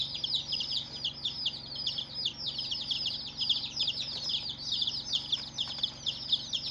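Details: Baby chicks on their first day, many voices at once: a thick, unbroken wash of shrill, downward-slurred peeps, rapid and overlapping throughout, over a quiet continuous hum.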